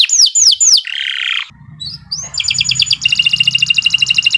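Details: Training-lure canary song opening with three swooping downslurred whistles, then a buzzy rattle, short chirps and a fast, even trill of repeated high notes, with low background hum.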